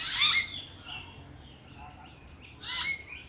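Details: Two quick bursts of whistled, slightly harsh calls from wild common hill mynas high in the treetops in April, separated by softer faint notes, with a continuous high-pitched whine behind.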